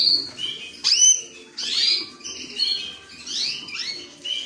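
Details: Creamino canary song with varied phrases: a steady high whistle, then a sharp downward sweep and rolling, warbled trills, rich and lively.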